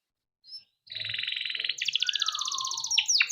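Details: Canary in Indonesia with song used to lure young canaries into singing; after a short chirp, a long buzzy rolling trill rises in pitch, ending in sharp sweeping notes.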